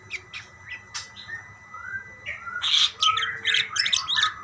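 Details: Several budgerigars answering one another. A few sparse, sharp chirps come first, then a louder burst of harsh squawks and twittering notes toward the end.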